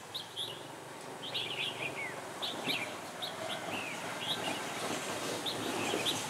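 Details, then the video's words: Red-whiskered bulbul decoy bird singing during trapping of wild birds, recorded 20 January 2018: bursts of bright, warbling whistled phrases repeated through the clip, over steady background hiss. "Bẫy chào mào"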